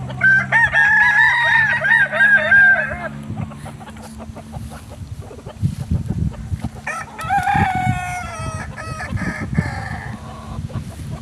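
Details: Original Solok Kukuak Balenggek rooster of West Sumatra crows with a long undulating, wobbling phrase of nearly three seconds. Later a shorter second crow comes through rustling and knocking noises, over a low hum.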